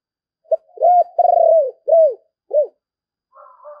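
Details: Handsome decoy spotted dove singing well, giving its driving and calling coos: a short clipped note, then a stuttering coo sliding into long, low, arched hooting notes, five in all, followed by a fainter rough murmur at the end.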